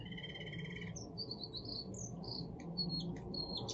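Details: Young male Russian singing canary, 7 months old, pure song line, singing a "forest song": a fast rolling trill, then a run of high, clear whistled notes and quick chirps over a steady low rumble.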